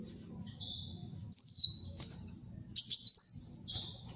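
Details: Brown-throated sunbird song for luring and tutoring: high whistled notes sweeping downward, then a jumbled rising twitter, over a low murmur of background noise.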